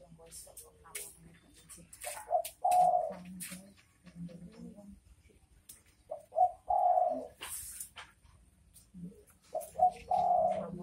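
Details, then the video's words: Spotted dove calling, the bekur bekur type of call: cooing phrases of a few soft notes and a longer drawn coo, repeated every few seconds, with clicks and rustling noises between. "Suara Burung Derkuku Bekur Bekur"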